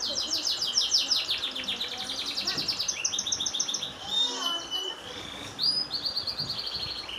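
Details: Long canary song with fast cascades of descending high whistles, then steadier rolling trills, and faint background chatter.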